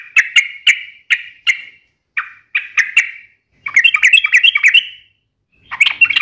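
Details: Sooty-headed bulbul in full 'gacor' voice: a string of hard, repeated chip notes slowing slightly, then a dense, fast warbling chatter and a final short burst, crisp 'ropel tajam' delivery.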